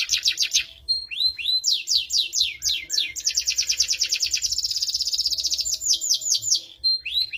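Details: Canary song in the cengkok mewah style: clusters of high curved notes, rapid repeated phrases and a dense rolling trill, ending with a few separate upswept notes.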